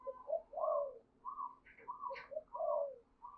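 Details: Spotted dove coos used as a lure for attracting doves: paired low and slightly higher notes repeated in a steady hooting phrase, with brief faint chirps in between.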